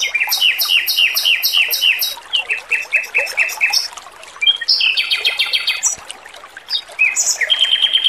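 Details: Lively male Oriental magpie-robin training song, clear and sweet: fast series of repeated rich notes at about three per second, shifting to buzzy trills and varied high chirps, faint water in the background.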